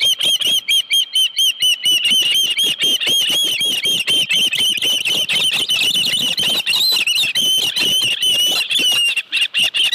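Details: Osprey at a ranch nest on 25 July 2018 around 5:23 PM, with a live fish at the nest: a dense, near-continuous run of high, piercing whistled chirps, about two per second, for the full ten seconds.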